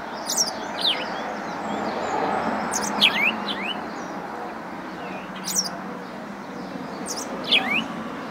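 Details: House sparrow giving short, bright chirps with quick downward sweeps, in spaced bursts roughly every two seconds over a steady broad background hiss.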